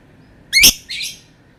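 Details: Lovebird calling with one harsh, shrill squawk followed by a shorter, softer rasping note, then quiet.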